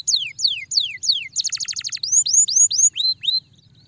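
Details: Canary song used to stimulate a lazy canary to sing: four loud whistled notes sweeping downward, then a fast buzzy trill, then a series of short rising whistles, with a faint low hum beneath.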